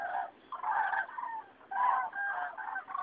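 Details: Migrating common cranes over Rochechouart (87) in mid-February 2013, a passage announcing spring: several birds bugle together in resonant, rolling trumpet notes, two main bursts in three seconds.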